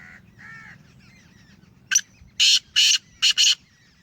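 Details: Black francolin of the Sheedi strain, a captive bird offered for sale: after two faint soft notes, one sharp click is followed by two harsh rasping notes and a quick doubled grating note. A low hum runs underneath.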